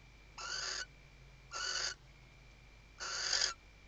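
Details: Nest-box female western barn owl in Riet Vell reserve, Ebro Delta, Tarragona, Spain, 2023 season, summoning the male while working the nest: three coarse, sibilant screeches, two close together then a pause, against a quiet steady hum.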